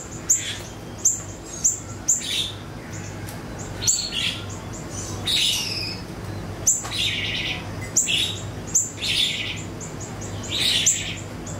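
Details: High, scratchy chirps and sharp ticking notes from an ashy tailorbird (siri-siri), played as a lure to make songbirds answer. The notes come in quick irregular clusters, with brief hissy bursts, over a steady low hum.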